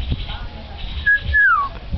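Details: Pet common hill myna (Gracula religiosa) that mimics men's, women's and boys' voices gives a brief level whistle, then a longer clear whistle sliding down in pitch, while its owner coaxes Thai greetings, over a low murmur.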